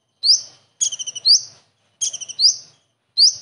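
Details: Common iora copying a kingfisher, recorded for training other birds: a single rising whistle, then two phrases of five rapid buzzy pulses, each ending in a loud upward-swept note.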